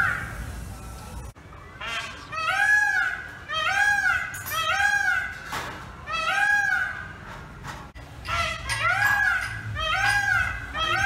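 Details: Indian peafowl in a small village, giving loud, nasal, arched honking calls in quick overlapping series, several birds or repeated bursts every second or so, with short pauses between bouts and a low background rumble.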